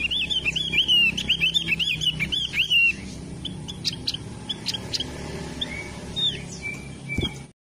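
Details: A Javan grey-throated white-eye sings a loud, fast, varied run of high warbled and looping notes for about three seconds, then scattered softer chirps and thin whistles; the species is loud and varied but protected, its population nearly extinct.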